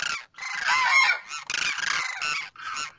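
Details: Demoiselle cranes, a pair, male calling to the female: sustained rasping, goose-like honking in long bursts, broken by two short silences.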